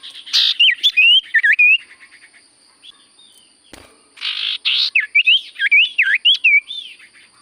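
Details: Energetic Common Iora sirtu song: a buzzy burst followed by quick looping whistles, a short pause, then another harsh buzzy note leading into a fast series of wavering, swooping whistled phrases.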